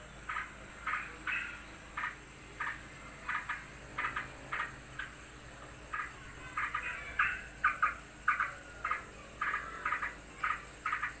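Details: Agitated sooty-headed bulbul reacting to another bird's arrival, giving a fast, uneven string of harsh, chattering notes, about one and a half per second, growing louder and denser toward the end against a quiet hiss.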